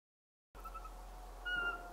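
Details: Eurasian pygmy owl recorded in March 2024, giving a single short, clear, mid-pitched whistled hoot after a brief silence, over a steady faint background hum.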